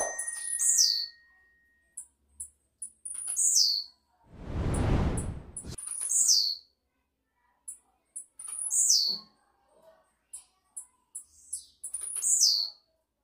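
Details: Blue-black grassquit singing a lot, possibly in campainha style: several short buzzy downward-sweeping phrases separated by high ticks, repeated over the recording, interrupted midway by a loud burst of broad rushing noise.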